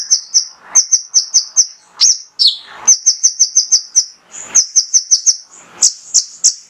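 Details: Male kolibri ninja singing to provoke other birds into song: long series of very high, sharp chips repeated several times a second, broken by brief downslurred squeaks, bright and insistent.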